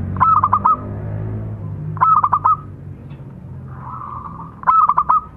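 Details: A male and a female local zebra dove, kept as tutor birds, sing three short clipped phrases of pulsed cooing notes, each under a second long and coming about every two seconds, over a low background hum.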